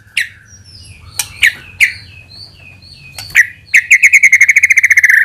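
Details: White-rumped shama lure song; scattered sharp notes and soft whistles, ending in a fast even trill of repeated notes for nearly two seconds.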